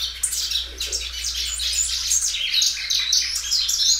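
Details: Caged Belgian canary singing loudly and drawing out its song, a continuous stream of rapid high warbles and sweeping notes, with a faint low hum behind.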